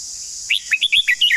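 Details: Red-whiskered bulbul giving a long-style song: a quick phrase of about seven bright, whistled notes that swoop and slur, lasting under a second. A steady high insect-like hiss runs underneath.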